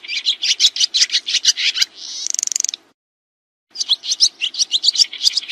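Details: Swiftlets give a string of sharp high chirps, then a buzzy trill and a silent gap, then more rapid twitters. Used as training sound for kacer and murai birds.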